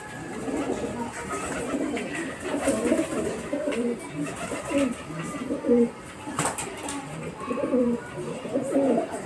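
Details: Pigeons fighting with each other over food, heard indoors: low, throaty cooing and grumbling notes repeated irregularly, with scuffling and wing clatter between them.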